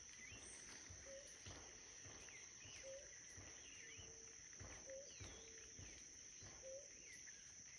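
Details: A blue ground dove at La Bramadora wetland, Sopetrán, Antioquia, Colombia, on 17 September 2023 gives soft, low single boops about every two seconds, over a steady high insect drone with other birds chirping faintly.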